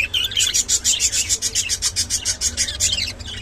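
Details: Rainbow budgerigar, a kept pet bird, giving fast, high chirps pulsing about six times a second in a steady, rhythmic chatter that lasts throughout, with a faint low hum underneath.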